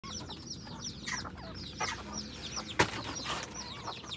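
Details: F2 hybrid junglefowl decoy chickens in Phon Thong, Roi Et, Thailand, give overlapping high, thin peeps and low clucks in a busy, continuous chatter; a sharp knock cuts in near the end.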